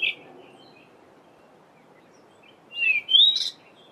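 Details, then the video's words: Cape robin-chat, male, in a garden during the dawn chorus in mid-winter (July): a brief high note, then after a pause a quick, rich warbled phrase of sliding whistles, over a steady low hiss; normal song and mimicry-laden song recorded same morning. "Cape Robin-chat's two different songs"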